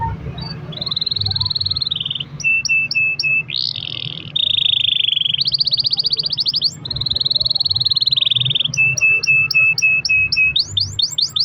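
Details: Canary singing long rolls as a lure for other canaries: sustained buzzy trills at changing pitches, short high pips and a sweeping upward note, ending in quick whistled sweeps, with low hum below.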